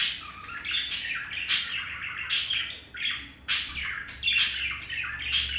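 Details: Pet budgerigar male courting a female, chirping and tapping his beak; loud bright chirrups and clicks arrive in pulses roughly every second over a steady high chatter.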